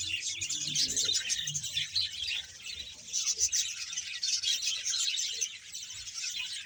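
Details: Colony of roughly 100 budgerigar pairs at Bahawalpur: a thick wash of overlapping squeaky chirps and twittering warbles, steady from start to end, no single bird standing out.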